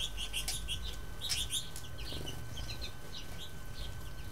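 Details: American goldfinches drinking at a heated backyard birdbath in Ontario on a -15°C winter day, 15 January 2012, give quick, high, sweet chirps over a steady low rumble and soft wing flutters, thickest in the first two seconds and then sparser.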